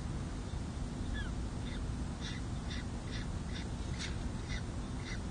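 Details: Peregrine falcon at the San Jose City Hall nest ledge, California, on 2 May 2024, during the second chick's hatching and the first feeding, picked up by the nest camera. A short series of about eight harsh, clipped notes sounds over steady heavy rumbling noise.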